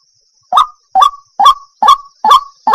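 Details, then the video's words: A white-breasted waterhen (jal murgi) calling: a series of six harsh, croaking notes with a slight upward twist, about two per second, with nothing else audible. "Jal murgi ka sound"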